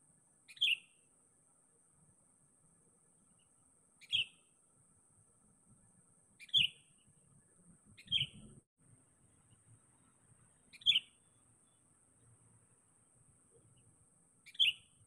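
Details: Sooty-headed bulbul calling out to a rival, played as a lure: single short, bright whistled notes repeated at irregular intervals of two to four seconds, six in all, over a quiet background.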